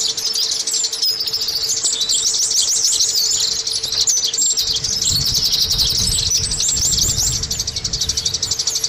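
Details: High, continuous twittering of an Oriental white-eye played as a lure to make caged birds sing, with quick zigzag notes over a steady hum and a low rumble starting around halfway.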